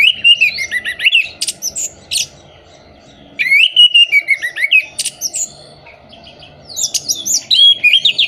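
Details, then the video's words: Orange-headed thrush song, a lure for birds in moult or not in breeding condition: rich whistled phrases with rising and falling slurs and sharp notes, delivered in two bursts separated by a silent gap. "Pancingan Burung Anis Merah Mabung, Macet, dan Kurang Birahi"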